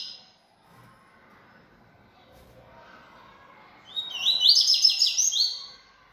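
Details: A bold caged Yellow-bellied Seedeater sings at length. After a quiet stretch with faint background hum, one loud high phrase bursts in, made of rapid bright repeated notes that rise and fall, lasting about a second and a half.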